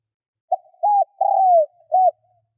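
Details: Single four-note cooing phrase from a decoy spotted dove luring wild birds: brief low note, rounded coo, long falling coo, then a last short coo.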